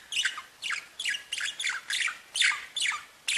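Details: Pet budgerigars chirping: a steady series of buzzy, downward-sliding squeaky notes repeated about twice a second, each a short scratchy burst, over faint background hiss.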